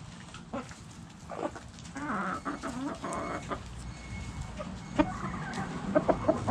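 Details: Backyard hens clucking in a lively, irregular stream of short harmonic clucks and squawks, some rising and falling, several birds overlapping, with a faint steady tone and light background noise.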